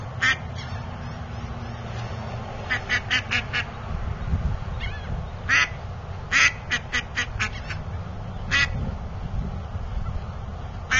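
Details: A duck gives short, harsh complaining quacks, some single and some in quick runs of three or four, over a steady low rumble. A Mottled drake, possibly its brother or mate, is present.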